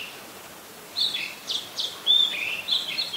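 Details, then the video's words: Oriental magpie-robin, a common resident of Ubon Ratchathani, Thailand, recorded 17 July 2021: a quiet second, then separate whistled phrases, including a long pure slurred whistle and short warbles. "นกกางเขนบ้าน Oriental Magpie Robin (singing)"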